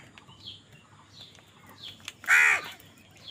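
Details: Soft high chirps lead into one sudden, loud, rasping caw from a crow in a food fight.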